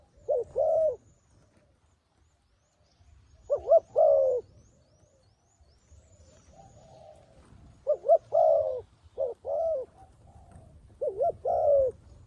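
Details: Trap decoy dove calling wild doves down. Irregular bursts of cooing: a single phrase, then a pause, then grouped phrases. Each has a fluttering double note before a drawn-out mellow coo, with faint rustling between.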